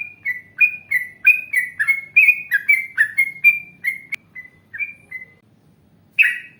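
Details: Yellow-vented bulbul from an Indonesian training recording, giving a rapid burst of bright alternating chirps that slows, fades into a few softer notes and silence, then ends with one loud chirp.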